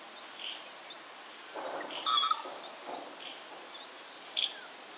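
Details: A rufous treepie (Dendrocitta vagabunda) gives a harsh, rasping burst mixed with a short metallic note, then a single clear high note a couple of seconds later, over faint background chirps; recorded near Gir National Park, Gujarat, India.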